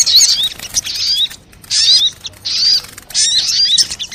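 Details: Sunbird lure recording: four short bursts of high, sharp chirping, each about half a second, separated by quieter gaps.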